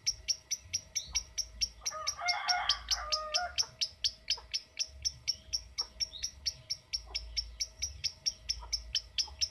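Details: Lovebird giving a steady stream of crisp, high clicking chips, the 'ngetik' typing sound, roughly two per second and quickening, while a softer warbling murmur sounds briefly in the background and a low hum persists.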